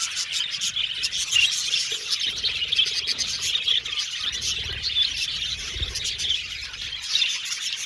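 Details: Colony of budgerigars in an aviary, a busy happy chorus of shrill chirps, twitters and short whistles from many birds together, steady in intensity, with faint low thuds.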